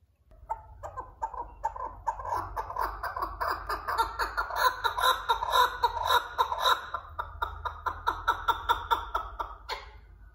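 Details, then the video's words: Partridge calling with a long run of harsh, clucking notes about two per second, swelling in the middle and ending with a sharper note, over a faint low hum. "صوت حجل"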